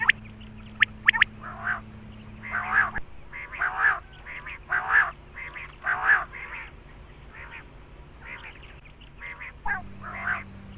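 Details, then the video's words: Quail call used to lure quail for hunting: harsh, buzzy bursts repeated about once a second with short gaps, over a low steady electrical hum. "Batair Ki Awaz |Quail Calling Batair Ki shikar Ki Awaz"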